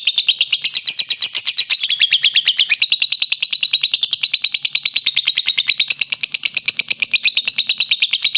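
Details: Lovebird delivering a ngekek, a long trilling song stated to last beyond 50 seconds: a continuous, piercing, machine-gun-like chatter of rapid even pulses, wavering gently in pitch throughout.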